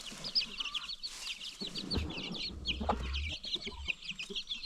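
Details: Baby chicks among free-range farm chickens peep constantly in high, thin downslurs; soft clucks sit underneath, and heavy low thumping and rumbling handling noise fills the middle.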